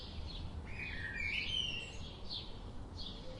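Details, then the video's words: High chirping birds with a prominent clear whistled phrase early on, notes sliding up and down, followed by scattered short chirps and low background rumble. "Birds sound"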